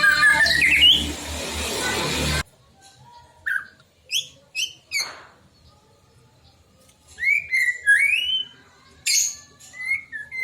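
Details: White-rumped shama song used to provoke other shamas: a loud noisy burst opens, then sparse sharp whistled notes and short warbled phrases separated by quiet gaps.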